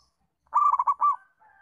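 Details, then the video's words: Local zebra dove call meant to prompt learner doves into calling: rapid bubbling coos followed by a drawn-out closing note, then a faint steady tone afterwards. "Masteran & Pancingan Perkutut Lokal untuk melatih Perkutut Bahan Belajar Bunyi"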